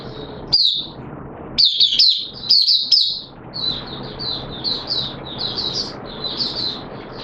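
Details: In wet weather on 6 September 2022, a hobby oriental white-eye starts its song: clusters of sharp high chips, then a sustained run of rapid, sweet, slurred twittering notes over a low hum.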